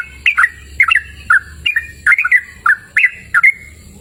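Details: Yellow-vented bulbul in full song outside, delivering short liquid whistled notes in pairs and triplets, rising then falling, spaced around half a second apart in a quiet natural setting.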